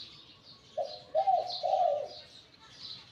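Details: Spotted dove decoy bird taken from the wild, voice described as medium to large. It gives a three-note hollow cooing phrase, a short note and then two drawn-out ones, amid faint background twittering.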